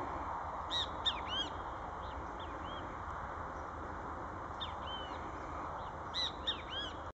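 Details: Great kiskadee (Pitangus sulphuratus) singing in a reserve west of Villa 20, giving loud, harsh, slurred phrases in short bursts every second or two over a steady roar of background noise.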